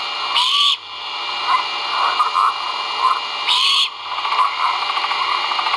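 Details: Nestling great horned owls vocalizing while being fed, captured by a live camera at a Skidaway Audubon nest, dated 1.04.2022: two rasping, breathy screeches about three seconds apart, with a constant camera hum and soft rustling between them.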